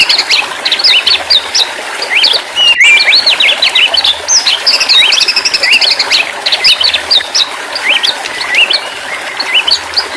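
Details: Therapy audio for a stressed white-rumped shama that has stopped singing: a continuous, energetic song of rapid whistled notes, jumps in pitch and clipped chirps, with a brief click partway through.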